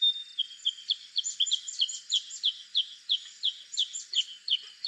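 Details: Black-crested bulbul: a fast series of clear, downslurred whistled notes, about three per second, steady in pitch, with a faint high insect-like hiss behind.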